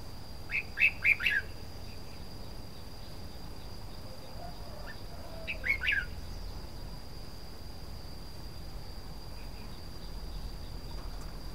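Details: Red-whiskered bulbul song: a quick cluster of four or five bright, bubbly whistled notes, then after a long gap a shorter similar phrase, against a faint steady whine and rustling background noise.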